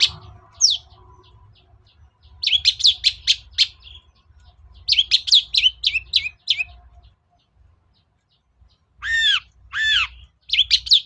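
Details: Lure song of a cendet, the long-tailed shrike, played to goad a quiet bird: quick bursts of sweeping notes alternating with arched, descending whistled calls, with a low hum beneath.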